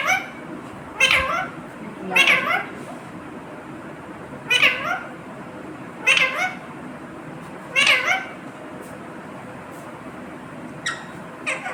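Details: Talking parrot kept as a pet repeats its learned word "mummy" in sharp, nasal, falling bursts about every one to two seconds, six main utterances over steady indoor background hiss.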